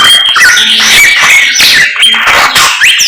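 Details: Lively morning singing from a samyong bird: loud, piercing whistles mixed with fast rising and falling slurs and scratchy notes, delivered continuously.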